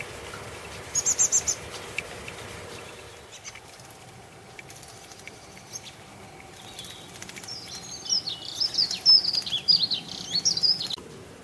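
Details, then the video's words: In a garden, a common blackbird chick with its mother: an early burst of thin high squeaks, a quiet stretch, then a longer wavering series of high chirps repeated several times a second. "Black bird Chick & Mum in my garden"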